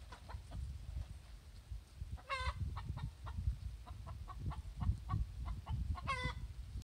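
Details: Laying hen's egg song after producing an egg: fast clucks with two prolonged, harsh squawks about four seconds apart, partly masked by a strong low rumbling noise throughout.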